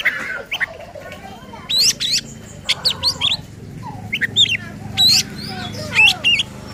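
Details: Oriental magpie-robin, a vocal kacer bird singing agitatedly in the style used to provoke other magpie-robins: scattered sharp high whistles and chirps, some rising, given in short bursts with pauses between, over a low steady hum.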